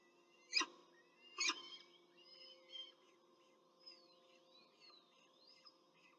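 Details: Peregrine falcon at a nest in Rome, Italy, during a short feeding of chicks on 21 April 2024. Two harsh, broadband cries come about a second apart, then thin whistled notes and a faint steady hum.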